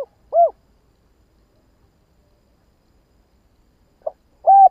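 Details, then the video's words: Spotted dove giving a lure call to stir up other doves, two short hollow cooing notes, separated by nearly four seconds of silence, with a faint extra note before the second. "Chim cu gáy kích bổi nhanh nổi"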